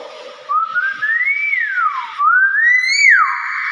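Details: Hill myna kept as a pet whistling two long swooping phrases: a slow rising glide that falls away, then a second climb ending in a bright, overtone-rich peak and a held note.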